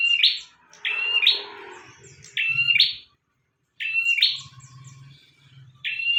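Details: Bar-winged prinia in vigorous song, meant as a master recording for other birds: high buzzy two-part phrases repeated about every second, with a flat trill and then a rising squeaky burst, over a faint low hum.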